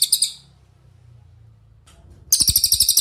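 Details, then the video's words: Master song of a cililin for tutoring other cage birds: a brief high rattling phrase fades out, a quiet low murmur follows, then a loud burst of rapid, sharp repeated notes begins. "MASTERAN CILILIN GACOR – Suara Jernih Untuk Murai Batu, Cucak Ijo, Kacer"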